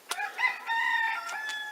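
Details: Rooster in the Lot department, France, in April 2019, crows a single drawn-out, harmonic-rich cock-a-doodle-doo lasting over a second, its tone holding steady before trailing off.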